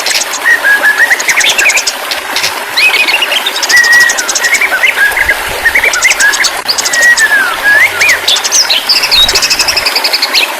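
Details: White-rumped shama in extended varied song, mixing clear wavering whistles with bursts of rapid buzzy high trills, phrases alternating every second or two over a constant light hiss.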